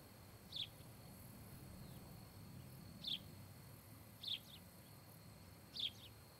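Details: Osprey pair at a nest near Charlo, Montana, filmed by a nest camera on 26 July 2018; four short, sharp, high chirps that drop slightly in pitch, about one every second and a half, over a steady hiss and low rumble.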